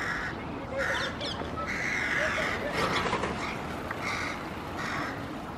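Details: Repeated rough cawing from a crow, recorded 5 June 2016, several drawn-out calls spaced irregularly over a noisy outdoor background.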